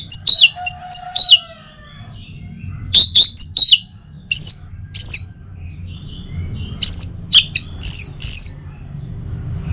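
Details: Orange-headed thrush in song, aimed at encouraging other birds to sing in the morning: groups of loud, steeply falling whistled notes, several per phrase, repeated across three bursts over low background hum.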